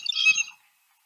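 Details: A Blue Jay in a Marion County, Ohio backyard gives its metallic, flute-like call: a single bright, high, ringing note lasting about half a second, then silence.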